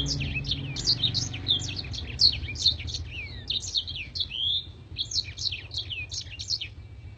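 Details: Black-throated canary in gacor nembak style, long and sharp with clear crystal vocals, used as tutor song for contest birds: rapid high twittering of quick rising and falling notes, continuous for seven seconds, a low hum beneath.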